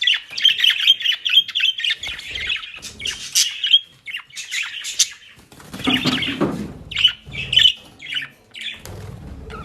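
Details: Budgerigars kept at home in Den Haag, Netherlands, eating dry leaves and grass, warble steadily with whistled squeaks and buzzy chirps, joined by rustling and low bumps around the middle.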